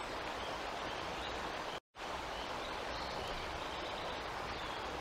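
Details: Constant rushing noise like wind or flowing water, broken once by a brief dropout, with no animal calls.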